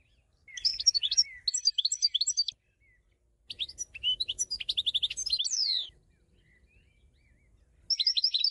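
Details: Three bursts of European goldfinch song: lively, tinkling twitters with a run of rapid repeated notes and a buzzy rising slur in the middle burst, separated by short silences.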